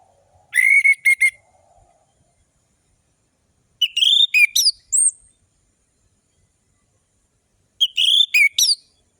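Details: Orange-headed thrush song, used as a lure to make lazy caged birds sing; described as long ringing phrases, sharp trills and fast tempo. Three bursts of rapid, high whistled notes arrive roughly every three and a half seconds, separated by silence.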